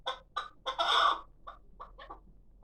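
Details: Hybrid chukar partridge chick of six months, kept for calling, giving three quick chucks and then a long, loud, rasping note. Softer scattered clucks follow.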